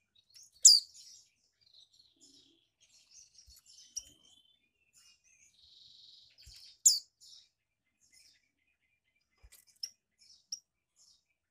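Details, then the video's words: Caged female mountain white-eye from Malang, East Java, whose calls are used to rouse male birds: two loud, piercing high chirps about six seconds apart, separated by faint scattered twittering, with a few soft clicks. "Pancingan Monty Bety. Monty Jantan Pasti Nyaut"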